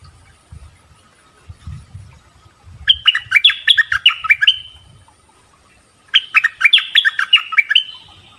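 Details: Bulbul song: two bursts of rapid, bright, chattering notes that step up and down in quick succession, each burst lasting about two seconds and separated by a pause, with faint low rumbling beneath.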